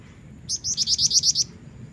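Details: Female Black-winged Flycatcher-shrike calling actively to lure a male: a quick run of about seven sharp, high chipping notes delivered in roughly one second, each note slightly rising, over a faint low background hum.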